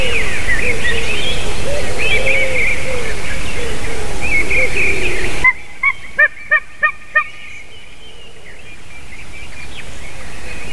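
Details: White-tailed eagle recorded on 28 March 2019 at 06:26: after a steady wash of wind and a chorus of small birds, a run of five sharp, yelping notes follows at about three per second, then the recording quietens.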